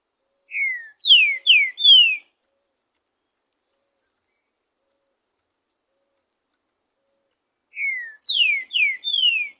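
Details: Green-winged saltator singing freely in the wild, repeating its song: a four-note phrase of rich descending whistles, given twice about seven seconds apart in silence.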